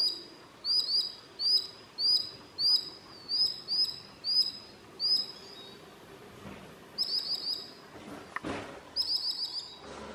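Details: A Common Sandpiper (Actitis hypoleucos) at midsummer in Southern Savonia, Finland gives thin, high piping notes, about ten in a quick series then short bursts of three or four, with a soft thump near the end.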